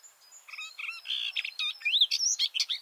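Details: Male garden warbler recorded at close range beneath a bush: after a few thin high notes, a bubbling run of mellow warbled phrases and quick rising whistles builds steadily louder.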